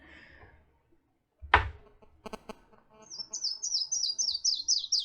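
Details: A Yellow-throated Warbler song: a quick series of about seven clear, down-slurred whistles stepping gradually lower in pitch, preceded by a voice and a few knocks.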